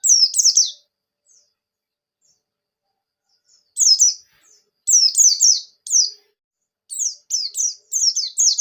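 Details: Javan white-eye (buxtoni) giving vigorous ngalas ngerol nembak song meant to prompt other white-eyes to sing. Clusters of high, quick, falling whistles arrive in irregular bursts with short silent gaps, and no other sounds are heard.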